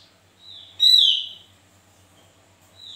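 Javan white-eye giving thin, high whistled notes, with one loud, slightly falling note near the middle, and faint chirps after it.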